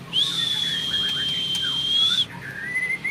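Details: White-rumped shama from a breeder's champion line delivering a 'long shot', one pure high whistle sustained for about two seconds, followed by softer rising whistled notes.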